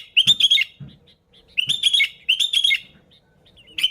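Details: Sooty-headed bulbul singing lively, an original recording used to lure other bulbuls: three bursts of bright, bubbly chirping notes, each about half a second, separated by short quiet gaps.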